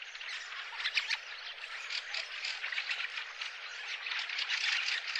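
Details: Bramblings in a garden, April 2013: a dense, continuous twittering chatter of many quick overlapping chirps, steady throughout and rising slightly in loudness toward the end.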